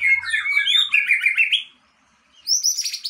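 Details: Aceh white-rumped shama breeding stock delivering a quick tumbling series of varied whistled and chirped notes, then a short pause before a higher bright burst of notes.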